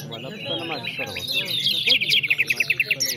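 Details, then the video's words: Nightingale at a singing competition in Afghanistan: high, twittering song with varied chirps, building to a fast series of about eight evenly spaced, sharp repeated notes near the end, over low human voices in the opening half. "Nightingale Competition in Afghanistan"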